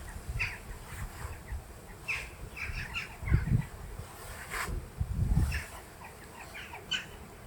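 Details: Western jackdaws in a colony nesting in the rock walls of an ancient Roman quarry give short, clipped, high calls, several birds overlapping irregularly, over steady low wind rumble.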